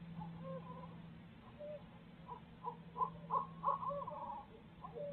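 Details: Barred owls at their Midtown Tulsa nest, a pair sharing parenting duties; faint hoots build into a quick series of loud, excited cackling notes with wavering tones, over a steady low hum.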